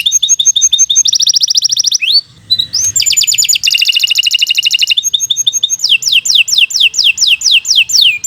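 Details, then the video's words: Training song of a canary for young or silent birds: ringing double notes, a dense buzzy trill, a short pause, rapid rattles, and finally a run of sharp falling whistles. "Kicau Burung Kenari 80 II GACOR PANJANG Cocok untuk Masteran"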